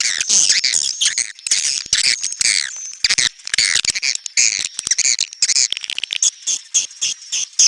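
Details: Neutral-style swiftlet sound: busy, high-pitched squeaky chattering in quick overlapping bursts, with a faint steady high tone and brief pauses between flurries.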